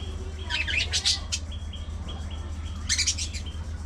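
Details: Colony of budgies, social birds chirping together: two quick bursts of sharp, high chattering chirps, separated by a thin repeated tonal note, with a constant low hum underneath.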